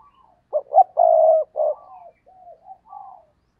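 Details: Spotted dove kept as a decoy, cooing to draw in wild doves: two short lead notes, one long sustained coo and a clipped ending, followed by several soft trailing notes.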